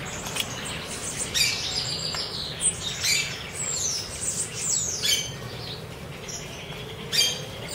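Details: Chopi blackbirds, wild, being fed in Cuiabá, Mato Grosso, give harsh squawking calls and sliding, high descending notes in overlapping bursts. Several birds call against a steady background hiss.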